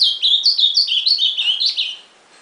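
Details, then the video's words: Ultramarine grosbeak singing a fast warbled phrase of sliding whistled notes, each dipping and rising, strung together for about two seconds before fading into quiet. "AZULÃO CANTANDO"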